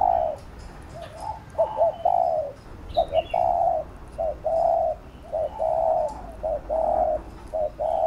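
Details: Insistent spotted dove cooing used to spur a trainee dove: a rapid run of low coos, with short clipped notes alternating with longer held ones, nearly continuous for eight seconds, and a brief high chirp midway.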